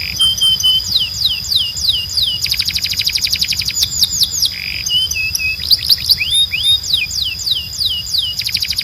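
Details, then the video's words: Strong, clean song of a Belgian canary: loud downslurred whistles, bursts of rapid machine-gun trill, a short buzzy roll and rising notes, changing phrase every second or two, with a steady high tone in the background. "Canário Belga Cantando 2026 🔥 Canto Forte e Limpo Para Treinar Pássaros"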